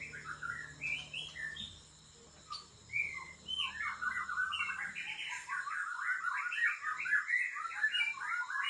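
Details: A white-rumped shama of Lamteuba, Aceh stock, kept for breeding, keeps up a continuous, fairly quiet twittering warble of quick varied notes. A steady low hum runs beneath it.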